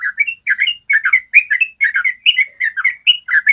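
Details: Yellow-vented bulbul giving a clear ropel trill as a master to encourage other bulbuls to sing. Quick, evenly paced gurgling phrases, about two to three every second, run throughout.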